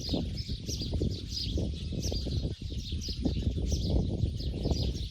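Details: Sparrows in Bodoland on their way to roost for the night, a continuous stream of short, bright, overlapping chirps from several birds, over a heavy low rumbling background.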